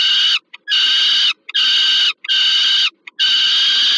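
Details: Harsh, strained screeches from peregrine falcons at a Warsaw nest site, Termika Żerań, Poland, 15 August 2022, during food delivery to a young falcon. The cries come in long bursts, about one each second, with short gaps between.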